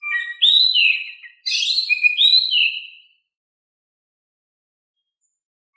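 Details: A gentle-voiced Oriental magpie-robin pours out song to spur lazy birds into answering: two linked phrases of rising and descending whistles with a buzzy middle note, then about three seconds of silence.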